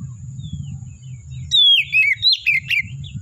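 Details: Wild Oriental magpie-robin singing in forest over a low rumbling background: a thin whistle, then a loud sequence of falling whistled slurs and twittering notes in the second half.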